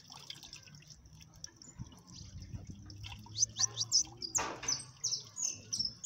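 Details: Siskin (jilguero amarillo) in cold weather: quiet at first, then a burst of 'máquina' song, quick high chirps and twittering trills in the second half, with a sharp tapping noise partway through.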